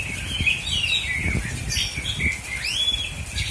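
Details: An Oriental magpie-robin from Aceh Selatan, Indonesia, gives a few clear whistled phrases and a long upswept note, accompanied by rustling and knocking sounds.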